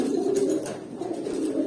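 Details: Eight-to-nine-month-old pigeons in a small indoor space: a deep, rolling coo pulses on steadily, with faint clicks and rustles.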